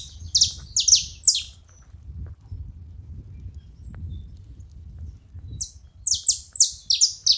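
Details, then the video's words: A group of saffron finches: a burst of high, sharp, falling chips, then about four seconds of only low rumbling background noise, then the quick downslurred chips resume in pairs. "Canarinhos da terra junto fazendo barulho"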